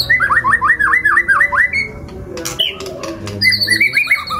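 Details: White-rumped shama of the F5 line, singing kasaran-style filled song; series of quick downward-sweeping whistles repeated about ten times, followed by harsh squawks and higher chirps, music playing underneath.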